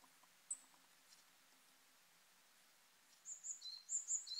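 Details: Eurasian wren (Troglodytes troglodytes) singing on a forest road in Kanagawa, Japan, in mid-March 2023, early spring: a high, rapid burst of sharp trilled notes after a quiet stretch of soft forest background.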